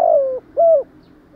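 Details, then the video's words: Spotted dove giving the 'thúc gù' (urging coo) style: two clear, low, hollow coo notes, the first gently falling and the second rounded, then silence. "chim cu gay bai ban THÚC GÙ"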